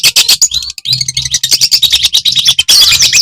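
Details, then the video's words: Very vocal Madura long-tailed shrike, whose song is played to make other shrikes sing and get worked up: continuous harsh, chattering high notes with a few clearer slurred whistles, closing in a dense buzzy burst. "Kicau CENDET MADURA SUPER GACOR INI"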